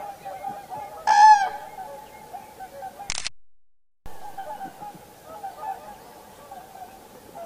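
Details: One loud, rolling trumpet call from a common crane rings out at Heinä-Suvanto nature reserve, Viitasaari, Finland, on 26 April 2011, then a sharp click and a brief silence, over a steady, distant hum.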